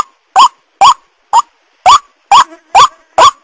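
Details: White-breasted waterhen call used as a lure for wild birds, with harsh, upward-inflected nasal notes repeated roughly twice per second, slightly uneven in spacing and strength.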